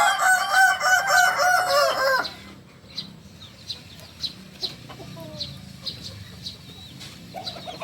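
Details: Kukuak Balenggek rooster, a chicken native to Solok, crows loudly for about two seconds in a run of stepped, rising-and-falling harmonic notes, followed by faint, sharp chirps of small birds in the background.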